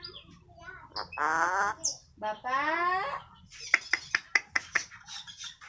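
An Eclectus parrot imitates human speech with two drawn-out, wavering word-like phrases, then a quick run of sharp clicks in a small, quiet room.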